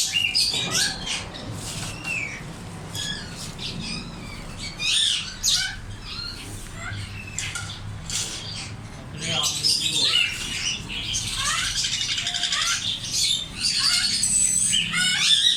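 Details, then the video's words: African grey parrots calling: a busy stream of sharp whistles, rising and falling chirps and squeaky notes, denser and louder in the second half, over a low background rumble. "African grey parrots||parrot talking natural sounds"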